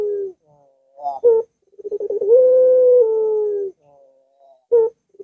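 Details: Barbary dove singing, played to coax a silent dove into song: a short falling coo, a clipped accent note, a rapid stuttering lead-in and a long sustained low coo, then another sharp note at the end.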